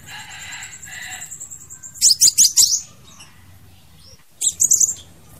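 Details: Crimson sunbird song used as a lure for trapping birds: soft twittering at first, then a loud rapid string of high sharp notes, a pause, and another quick burst of bright chips.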